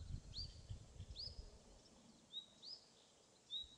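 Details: Common nightingale (Luscinia megarhynchos), 28 April 2016, Pszczyna county, southern Poland, gives four or five separate high whistled notes, each sliding upward then levelling off, about a second apart, over low wind rumble.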